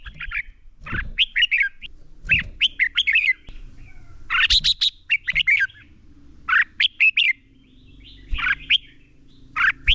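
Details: Red-whiskered bulbul, a lure bird, giving competitive fighting song used to train and stimulate other bulbuls to sing: short bright warbled phrases of slurred whistles, bursting out about every second or two with brief pauses, plus faint low thumps.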